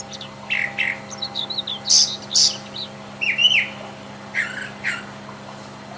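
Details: Wild Brown Thrasher singing, each short phrase typically given twice in quick succession: paired falling notes, paired bright high bursts, then more doubled phrases, separated by brief pauses.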